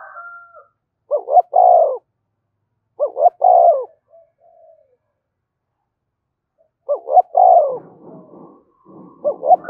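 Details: Spotted dove cooing to provoke fighting: a repeated phrase of two quick soft notes and a sustained, resonant coo, heard four times at intervals of a couple of seconds, with some rustling near the end.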